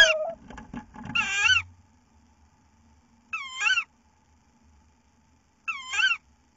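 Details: A tawny owl gives three harsh, wavering squeals as it receives a mouse on 15 April 2018, each about half a second long and spaced roughly two seconds apart, after some opening knocks and rustling.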